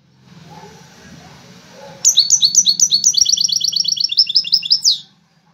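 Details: European goldfinch from a widaniya-style contest of five birds; after a low hum, a loud, regular run of rapid, evenly spaced ringing notes, about three per second and accelerating, ending in a buzzy flourish.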